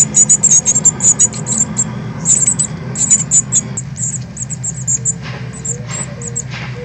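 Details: Northern cardinal young leaving the nest, 13 August 2020, live stream: fast strings of high chirping notes that thin out and fade, followed by a low steady tone and a few faint chips amid background hum.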